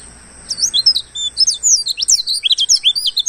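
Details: Wild oriental white-eye starting after a brief quiet moment into a fast jumble of thin, high twittering whistles, many notes swooping up or down, growing busier toward the end, used as a lure for the same bird.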